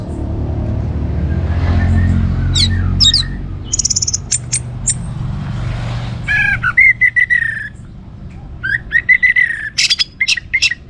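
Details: Energetic orange-headed thrush song for stimulating other birds: after a rumbling noisy stretch, bursts of sharp high chirps and stuttering trills come in quick clusters.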